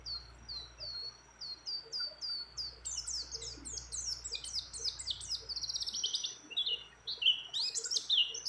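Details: A breeding-condition female white-eye calls to a male among many other birds, with a row of thin descending notes that builds into a dense, fast, high twittering jumble.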